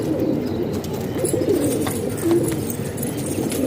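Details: Kept pigeons in a Pakistani house give a brief burst of low, throaty coos over a continuous murmuring flock background.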